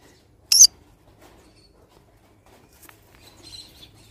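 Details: A single abrupt, raspy squawk from a pineapple green-cheeked conure kept as a pet, followed by near silence and faint, soft chattering toward the end.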